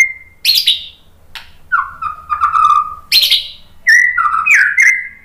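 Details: White-rumped shama song used to stimulate other shamas into singing: loud whistled notes, sliding and level, broken by sharp harsh bursts, phrases repeating after short pauses.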